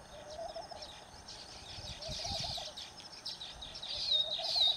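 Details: Baya weavers (Ploceus philippinus) in Phaltan, Satara, Maharashtra, India chatter in thin, buzzy, high chirps that overlap in a busy wash, with a few brief whistled notes near the end and low rumbling noise beneath.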